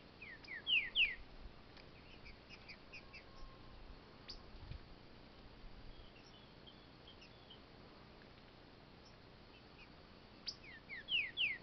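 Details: Caged green-winged saltator in a smooth training cage, shown fighting: two short bursts of sharp, descending high notes near the start and end, with faint scattered chips between over a quiet background hiss.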